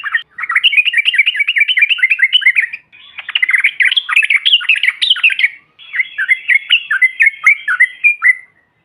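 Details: Yellow-vented bulbul in 'bahan' style calling, used to provoke other birds: three long bouts of rapid, bubbly, warbling chatter, notes tumbling up and down, separated by brief gaps.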